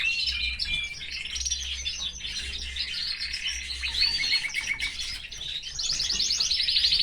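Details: Canary kept in a cage with its family, singing a varied flow of warbles, a lower series of repeated notes and a closing fast rattling trill, with a faint hum below.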